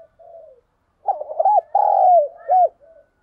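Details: Decoy spotted dove cooing to spur wild doves into fighting, in the thổ sấm voice style; a soft low note, then a loud phrase of quick looped coos, a long falling coo, a final coo and a faint trailing note.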